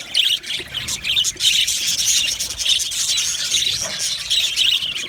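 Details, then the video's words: A colony of happy budgies in an aviary keeps up a steady, high-pitched chatter, with overlapping chirps, warbles and squeals packed closely together throughout. "Amazing Budgies sounds | Budgies chirping sounds | Happy Budgies sounds"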